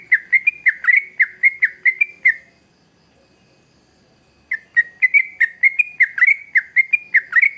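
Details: Yellow-vented bulbul (trucuk) singing hard, used to lure young birds: a fast chain of liquid, bubbling notes, a silent gap of about two seconds, then another long rapid run.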